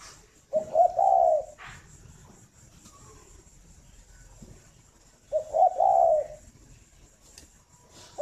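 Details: Morning song of a captive breeding spotted dove at a farm in Ba Vì district, Hanoi. Two soft, low cooing phrases spaced about five seconds apart, with quiet background and a few faint knocks.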